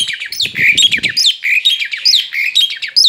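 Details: A male Asian pied starling out of its cage gives scratchy, squeaky chattering with short whistled slurs; a low rumbling knock sounds during the first second.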